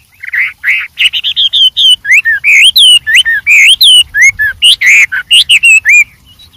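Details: Wild white-rumped shama singing energetically with many variations: loud, rich whistled phrases, slurred notes rising and falling, delivered in a rapid, varied stream with brief gaps between notes.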